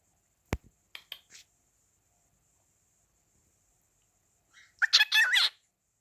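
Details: A talking cockatiel gives a brief, raspy, warbling burst of talk-like chatter, mimicking speech such as "Whatcha doing?", near the end after a few clicks and soft knocks.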